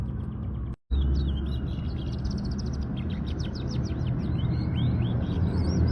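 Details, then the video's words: Local canary singing a fast series of high, thin chirps and upslurred notes over steady loud low rumbling background noise, with a brief break near the start. "Pesona Paud Kenari Lokal Bertalenta"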